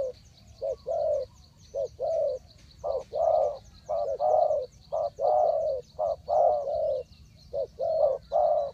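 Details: Spotted dove coos used to lure wild birds into a trap: dense, overlapping low hollow notes, short and drawn-out, one after another. Possibly more than one bird. Faint high chirping continues behind.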